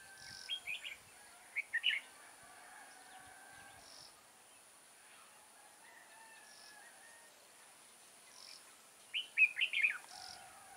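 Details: Decoy red-whiskered bulbul at a trapping session on 6 October 2018 gives brief, lively warbled phrases of two or three chirpy notes, separated by long quiet gaps, with a final cluster of quick rising and falling notes.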